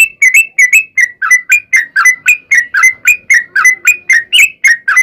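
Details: Long continuous fighting song of a sooty-headed bulbul, played to provoke other bulbuls into answering; steady run of short fluting notes with upward flicks, repeated several times a second, no other sounds.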